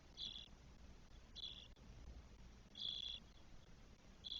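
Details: Spotless starling nest in Spain with four twelve-day-old chicks, 1 June 2022; harsh, hissing bursts come in a loose series, about one and a half seconds apart, with steady low hum beneath.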